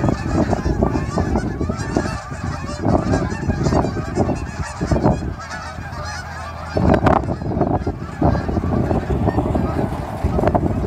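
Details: Just after a fall sunrise by Dawson Creek airport, hundreds of Canada geese head from ponds to grain fields to feed; a close, loud clamour of overlapping honks with a brief lull midway before it swells again.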